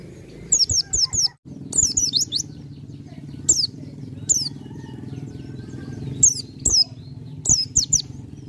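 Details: Bar-winged prinia singing in a full, developed style: bursts of three to four very high, thin rising chirps, repeated several times, over a low background rumble of engine and voices.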